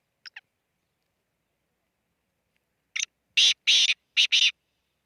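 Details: Black francolin calling at Khushab: two short faint clicks, then after a pause a loud, harsh, grating run of about five rasping notes, the middle ones longer and broad, the last two clipped close together.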